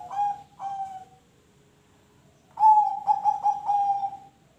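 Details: Zebra dove singing, used to spur other birds into song: two short coos, a brief pause, then a loud phrase of about five rapid bubbly pulsed notes trailing off.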